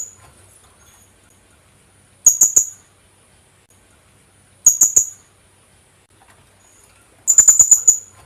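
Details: Philippine hanging parrot call used to lure birds: three separate bursts about 2.5 seconds apart, the first two of three to four thin high chips, the last a longer run of six sharp notes.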